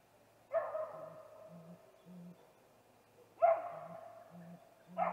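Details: Great grey owl, male, at a snag tree nest at 8:45 pm on 21 April 2019, calling before a nest visit: three deep, soft hoots evenly spaced under louder, harsh, harmonic bursts that come twice.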